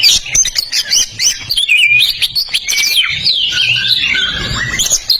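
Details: Lively kacer (Oriental magpie-robin) song, used as a tutor track for birds that have stopped singing: a dense, fast warble of twittering and whistled phrases with quick upward and downward slides, almost without pause.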